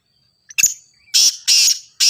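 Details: Grey francolin, known locally as teetar or ghogha teetar, played to get a captive bird calling for training: three loud, harsh, rasping bursts in quick succession, each under a quarter second, after a short thin note, against a silent background.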